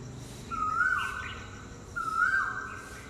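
An Asian koel gives two clear whistled notes about a second and a half apart, each swelling upward and then slurring down, over a soft background hiss.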